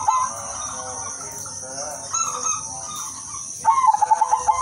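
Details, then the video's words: Udanmas silver zebra dove singing melodiously to lure other doves: soft cooing first, then a clear run of quick evenly spaced pulsed notes at the end, with a steady high hiss throughout. "perkutut udanmas silver gacor irama merdu jadi pancingan semua perkutut"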